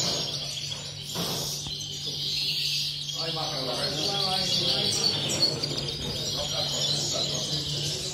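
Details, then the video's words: European greenfinches sing rapid twittering trills and wheezy notes at a bird-song contest in Sant Joan Despí, Barcelona, on 16 November. People talk quietly in the background and a low hum runs throughout. "CORONA VERDERON"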